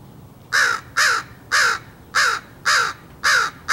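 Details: Crow being fed and cawing at something: seven harsh, nasal caws repeated about twice a second, each slightly falling, on a quiet background.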